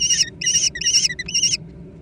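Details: Four loud, shrill, wavering squeals in quick succession from young American kestrels fighting over food.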